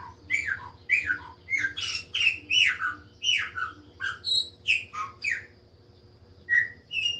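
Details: Chopi blackbird singing a steady run of loud, clear whistled notes, many sliding downward, delivered in quick bursts about every half second, with a brief pause near the end; a faint low hum underneath.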